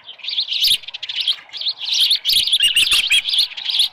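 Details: Osprey at the Dunrovin Ranch nest on a July 2018 morning, with a headless fish. Steady high chirps are repeated in quick succession, with a few soft knocks.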